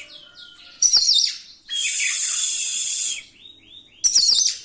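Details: Oriental magpie-robin singing a rolling song with mimicked fill-ins to rouse other magpie-robins: soft falling notes, a sharp scratchy burst, a long steady buzz, then a final harsh chatter.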